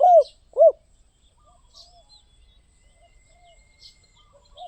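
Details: Spotted dove giving two short, arched coos in quick succession at the start, then a long pause filled only by faint high chirps of small birds in the background.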